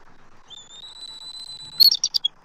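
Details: Eagle at a nest tree in Southwest Florida, March 2024, vocalizing at an intruding immature eagle; a thin sustained high whistle ending in a burst of sharp, quick chattering notes.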